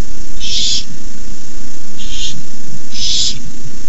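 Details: At night in a nest, young barn owls hiss while an adult brings in a rabbit, 18 May 2015; three harsh, breathy hisses, the last loudest, spaced about 1.3 seconds apart above constant low background hum.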